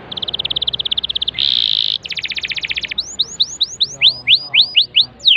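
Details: Canary song meant to make a silent bird start singing: a rapid trill, a short harsh buzz, a faster rattling trill, then a run of bright upslurred whistles repeated about twice a second, ending in a chirp.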